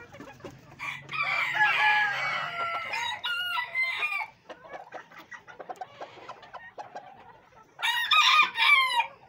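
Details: Silver Sebright hens on a fancy poultry farm in Pakistan, recorded 11 February 2023: a drawn-out, nasal cackling call, then soft scattered clucks and a burst of louder squawking calls near the end.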